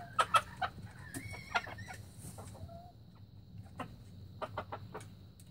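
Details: In 2019, a young red junglefowl gives a brief, high, strained crow-like note that bends upward, followed by a shorter tonal squeak. Scattered sharp clicks and clucks come before and after against a low rumbling background.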